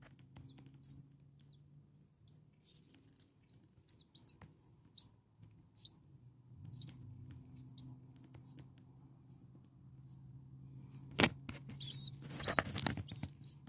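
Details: A nest of six common starling babies a few days old, hungry and calling: thin high curved squeaks repeated steadily, then louder rustling and knocking near the end over a low hum.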